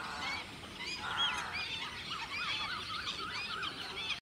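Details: Wild black-tailed godwits gathered in a large flock on a lake. Many birds call at once in a dense, overlapping chatter of short nasal notes that rise and fall, continuing throughout.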